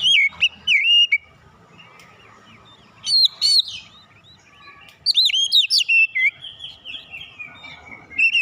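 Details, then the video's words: Fighter-character Oriental magpie-robin singing, used to train a young bird: clear looping whistles and sharp high notes in three loud bursts separated by quiet soft twittering. "terapi tes Kacer bahan cepat keluar karakter fighter"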